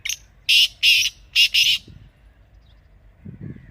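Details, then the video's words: Partridge (teetar) call: four loud, harsh, grating notes in quick pairs within the first two seconds, then quiet with a soft low rumble at the end. "Teetar Ki Awaz"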